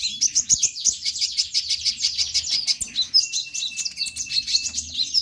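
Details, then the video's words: Olive-backed sunbird (konin) singing vigorously, used as a trigger to prompt young or silent sunbirds to sing. A dense, high, rapid stream of thin chirps and trills, with a steady thin whistled note running through the second half. "KONIN GACOR BUAT PANCINGAN TROTOLAN"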